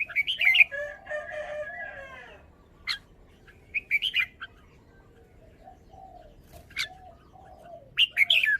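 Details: Red-whiskered bulbul showing off its song phrasing: short bright warbled phrases that rise and fall, separated by pauses, with a lower, softer chattering of other birds running underneath.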